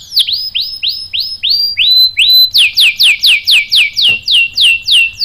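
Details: Canary song used to provoke other canaries into singing: clean, loud downslurred whistles repeated at a steady pace, each note sweeping from high to lower.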